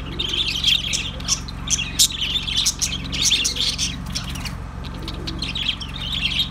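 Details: A group of budgerigars chirping and warbling, with quick twittering notes that crowd together and several sharp squeaks rising above, while a soft steady hum runs beneath.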